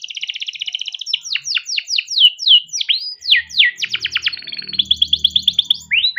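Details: Hand-kept male canary in long, continuous song used as a lure: a buzzy roll opens, followed by rhythmic descending sweeps, a rapid trill and another sustained buzzy roll, with faint low murmur late on.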